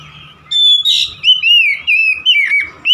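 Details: Oriental magpie-robin delivering a fast string of sweet whistled notes after a short quiet start. The notes are bright, sliding and tightly spaced, with a scratchy note near the beginning.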